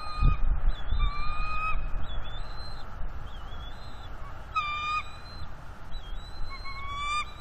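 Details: Juvenile bald eagle at a northeast Florida nest, 19 April 2021, puffed up and mantling fish against its mother and father. It gives repeated clear squeals, some slightly rising, with gaps between, against low wind and rustling.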